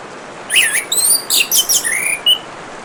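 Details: A varied, fast song from an orange-headed thrush: tumbling sweet whistles, trills and a final rising slurred note, set against the soft continuous rush of running water.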